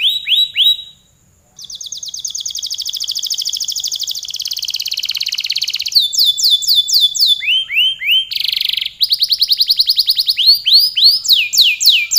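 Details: Canary singing vigorously at length, a varied canary song of buzzy high trills, dense rattling runs and arching whistled phrases, changing tour every one to two seconds, with a brief pause near the start.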